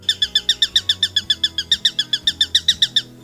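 A Eurasian Sparrowhawk gives a rapid, even series of sharp, high kek notes, about four a second for three seconds, with faint low background murmur.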